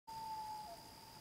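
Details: A common loon calls at sunset on Lac du Poisson Blanc in October 2017: a steady, pure mid-pitched note held over half a second before dipping slightly, with a faint high hiss.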